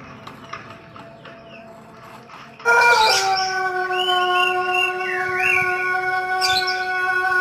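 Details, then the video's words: Pelung rooster from Cianjur, West Java, crowing as a lure for other roosters: after quiet background, a loud long drawn-out crow starts near the three-second mark, with brief chirping bird calls overlaid. "Suara Kluruk Ayam Pelung Gacor Untuk Pancingan"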